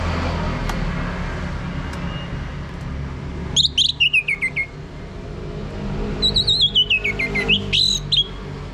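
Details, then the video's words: Orange-headed thrush song in the ngeplong style, used as a lure to make a male sing: two bursts of high, clear whistled phrases sliding downward in quick, stuttering notes, over a steady low rumble of background noise. "ANIS MERAH Mau Berbunyi Ngeplong"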